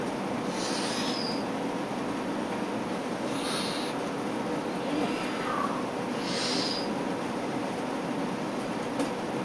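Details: Juvenile Tengmalm's owl giving short, hoarse, hissing notes roughly every three seconds, each a brief high rasp, over a steady background of low rumbling noise.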